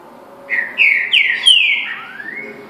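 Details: Green-winged saltator song phrase: a rich run of four strong whistled notes, each slurred downward, ending in a longer thin rising whistle, loud and clear over a low background hum.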